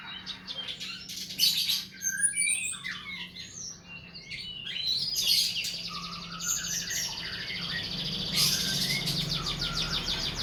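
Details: Cage-bird tutor song: a busy mix of high chirps, slurred whistles and scratchy twitters, coming in several dense bursts over a steady background hum.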